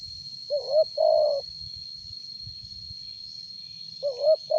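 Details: Spotted dove with a loud voice, suited as a lure, cooing one full phrase of two short bent notes and a longer hoot, then starting another after a pause; steady high insect hum throughout.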